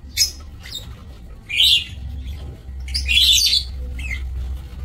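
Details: Lovebirds in an aviary, recorded on 27 March 2024. Shrill, harsh high squawks in short bursts, one longer chattering outburst, with low background hum.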